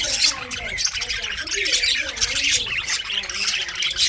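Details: Pet budgerigars chirping during a winter session: dense, scratchy, overlapping high chatter and squawks run continuously, with short warbled notes underneath.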